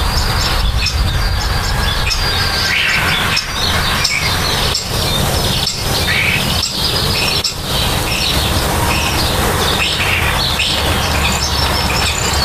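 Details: Nest-building common starlings give dense, high chirping and creaky chatter with short squawky notes, broken by brief pauses, against a continuous background rumble of engine noise.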